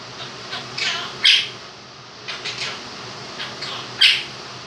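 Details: Pet Quaker parrot, two years old, kept indoors, imitating the song 'If You're Happy and You Know It': scattered harsh, high squawked syllables, two louder sharp notes standing out, with constant fan noise behind.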